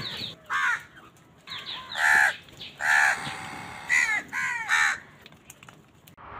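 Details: Crows gathered on a winter morning, fighting for food, give a chorus of hoarse, strident caws from several birds at once, some loud and near, others fainter, in irregular bursts roughly once a second.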